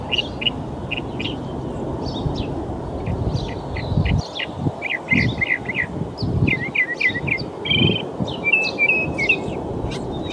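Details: Northern mockingbird mimicking other bird songs in a park in Folsom, California, on March 21: a steady run of varied short chirps, slurred notes and trilled phrases, changing every second or so, over heavy low rumbling background noise.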